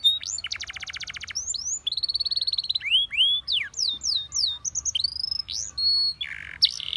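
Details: Canary singing to draw other canaries into song for training, with a rapid buzzy trill, rising whistled sweeps, a fast rolled phrase and repeated upward-slurred notes, all high and clear over near-silence.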